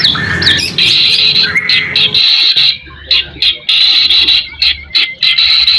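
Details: White-rumped shama song played as a lure to revive other shamas' spirit and teach them its phrases: clear whistled notes near high pitch, then loud rapid bursts separated by short gaps; low rumbling noise in the first two seconds.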